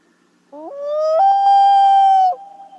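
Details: Common Loon's wail, a contact call meaning 'where are you?' that parents also use to find chicks: a low note climbing in steps to a steady tone lasting nearly two seconds, then breaking downward.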